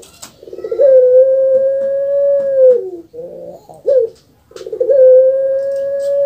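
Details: Puter pelung, a kept dove from Java, Indonesia, known for a distinctive kuk gerukkk kwokkk voice. A rolling, gurgling start opens into a long, steady, mellow coo held about two seconds that dips at the end. A second coo begins after a short pause.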